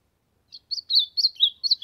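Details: Warm-up song of an ultramarine grosbeak, a string of short sweet whistled notes that waver and slide, delivered in rapid succession with brief gaps, against a quiet background.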